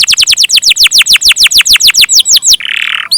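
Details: Canary giving long-roll gacor song, a very even run of loud downward-sweeping notes at about six per second, ending in a short buzzy rasp and a final rising whistle.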